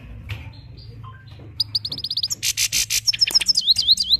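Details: Himalayan goldfinch from Parachinar singing slowly: after a quiet start, a bright run of rapid chirps and buzzy trills turns into repeated sweet upslurred whistles near the end, the notes coming in quick succession.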